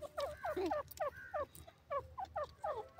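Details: Grey francolin (Francolinus pondicerianus) call: loud, harsh, repeated notes in quick bursts, each note bending downward, about three or four phrases in three seconds.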